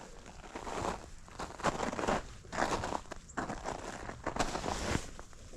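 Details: Crunching footsteps and rustling on dry ground outdoors come in uneven bursts, with no animal call heard.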